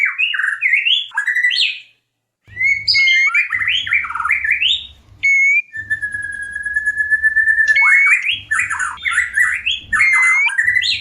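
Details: White-rumped shama in breeding condition, wanting to mate: energetic warbled whistle phrases, a long steady held whistle in the middle, then more rapid varied notes, over a low intermittent hum.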